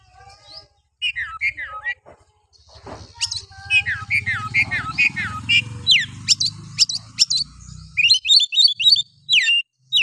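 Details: Oriental magpie-robin harsh song played to provoke other males: a long busy stream of falling whistles and rapid chattering notes, over low rumbling background noise.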